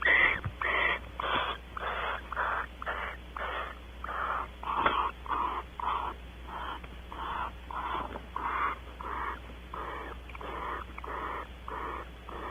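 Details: Barn owls mating on a porch at Audubon Starr Ranch, California: a long rapid series of short, breathy hissing bursts, nearly two per second, fairly even in rhythm and softer than full screeches.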